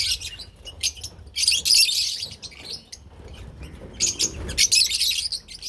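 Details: Group of lovebirds, parblue and opaline types, chattering in loud shrill bursts of high squeaky chirps, with quieter pauses between flurries and a flutter of wings.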